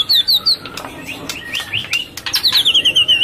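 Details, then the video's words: White-rumped shama, a female in breeding condition calling to stimulate males while feeding its chick; sharp whistled notes and rising slurred phrases repeat rapidly, ending in a quick series of high descending chips, with clicks and rustling behind. "Burung Murai Melolloh Anaknya dan Suara Pancingan Murai Birahi untuk pancing Jantan Birahi"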